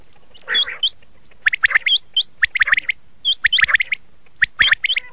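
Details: Red-shade common quail giving quick, high chirps with sharp upward flicks, bunched into uneven bursts of twittering about once a second, over faint background hiss.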